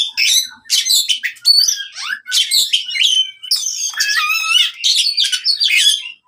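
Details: Oriental magpie-robin fighting song, used to train birds that have stopped singing: loud, rapid stream of varied high chirps, harsh notes and quick whistled phrases with almost no pauses.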